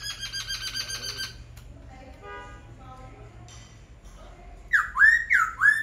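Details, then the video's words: Laughingthrush producing a buzzy, rapidly pulsed rattle, a quieter stretch of softer pulsed notes, then three loud rising whistles to close. "Khướu hót cực hay"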